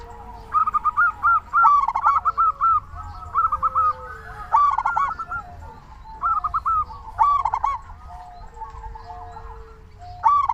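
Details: Energetic local zebra dove cooing as a lure to set off other doves. Rapid clipped notes run in a long series, broken by a few short gaps, over a soft low background hum.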